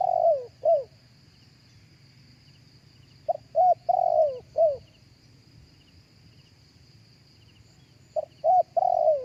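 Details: Spotted dove cooing live, used as a lure for other doves through a speaker: three short phrases of mellow coos, each a few clipped notes ending in a longer falling note, separated by pauses, with a steady thin high hum behind.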